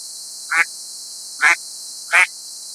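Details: A mallard in New York State, USA, gives three short, duck-like nasal quacks about a second apart, with a faint background hiss.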